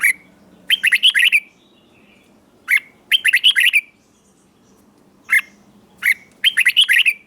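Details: Red-whiskered bulbul song in the southern Thai master style, played to excite caged bulbuls and to teach young birds. Short bright warbled phrases of quick rising and falling notes come in bursts separated by brief pauses, with a faint low hum behind.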